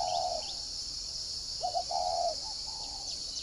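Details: Spotted dove decoy at a farm in Ba Vì, Hanoi, Vietnam, singing in the 'giọng còi' style. One coo phrase ends at the start, and another with stuttered notes and a long soft tail follows. Insect hiss and distant high chirps continue throughout.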